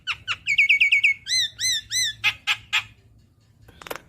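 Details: Javan myna, recorded as training song for cage birds: a quick run of sharp chirps, three arched ringing whistles, three rasping notes, then a pause and a faint scratchy burst.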